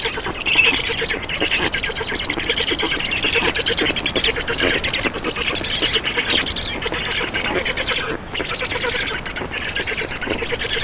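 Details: Black stork chicks at an Estonian nest begging while being fed, 2 June 2019, mid-afternoon; fairly even, softer rasping chatter of fast pulses running through the whole stretch.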